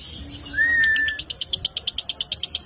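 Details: Lovebird in lively 'konslet' song style, recorded as training audio for other birds: a smooth level whistle, then a fast run of harsh, high chattering pulses repeated about seven times a second.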